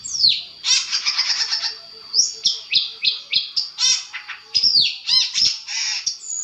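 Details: Long-tailed shrike master recording meant to provoke answering calls: rapid rattling chatter, then a series of downslurred scratchy notes about every third of a second, ending in loud mixed squeaks and whistles.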